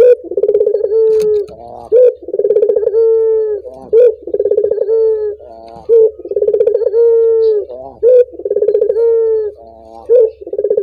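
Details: Collared dove cooing to set other doves singing: a rolling, pulsed burr that runs into a long, slightly falling tone, repeated roughly every two seconds, about five phrases in succession with short clear gaps.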